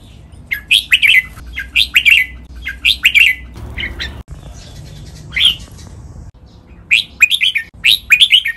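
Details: Red-whiskered bulbul giving a master song in lak wai and Pa La-u styles for birds to copy: short bubbly warbled phrases repeated roughly every second, a pause, then more phrases.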